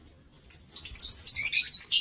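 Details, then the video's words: Aviary lovebirds recorded 7 April 2024 break a short silence with loud, shrill, chattering chirps that run almost continuously, harsh and high, ending in a final sharp burst. "Aviary Lovebird"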